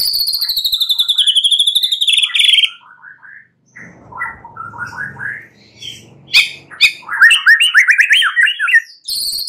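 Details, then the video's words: White-rumped shama song played at night to stimulate a caged bird into singing often and loudly: clear, loud whistled phrases with a long sliding note, then a quieter varied stretch and bursts of rapid, chattering notes. "Pancingan murai batu MALAM HARI agar GACOR dan NGEPLONG"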